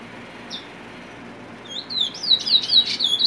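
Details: A chestnut-bellied seed finch (Trinidad bullfinch, cumuto) in Trinidad sings a fast, high run of sweet, down-slurred whistles after a quiet start, about two notes a second. Nothing else is heard.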